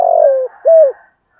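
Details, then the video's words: Spotted dove used as a lure bird, singing in the 'thổ' voice style: one long, slightly falling coo, then a shorter arched coo after a brief gap. Otherwise quiet. "Tiếng cu gáy giọng thổ thúc gù giọng hay và rất hạp bổi"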